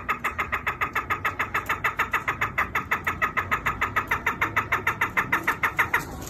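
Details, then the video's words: Chukar partridge, a hunting bird described as the national bird: a fast, steady run of sharp chuk notes, about three per second, with no pause for six seconds, ending in a faint hiss. "شکاری چکور کی خوبصورت آواز"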